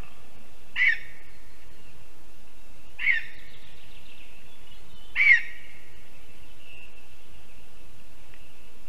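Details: Lesser spotted eagle, a female just back from Africa to breed, at her spruce nest in Zemgale, Latvia, evening of 11 April 2022: three short, high yelping calls about two seconds apart, with faint background birdsong.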